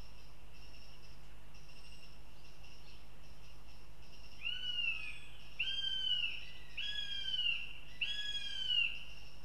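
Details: Young northern goshawks at a nest in Riga, Latvia, where a female juvenile visits and her male siblings call: four drawn-out, whining, downward-slurred cries about a second long each, coming one after another over a steady background hiss.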